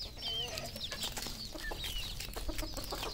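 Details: Many red junglefowl on a Cambodian farm call at once: rapid overlapping high peeps and short whistles over a low clucking murmur, with background clatter.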